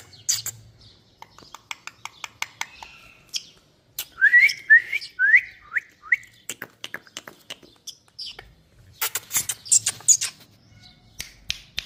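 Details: Indian parrot (rose-ringed parakeet) talking: scattered clicks and ticks, then four rising whistled notes repeated in quick succession, followed by more clicking and a few short high chirps.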